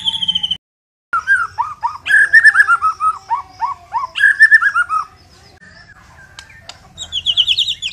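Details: Murai Batu Medan white-rumped shama singing energetically: rows of loud, descending slurred whistles in mid pitch, repeated in quick series, then a brief pause and a high rapid trill at the end.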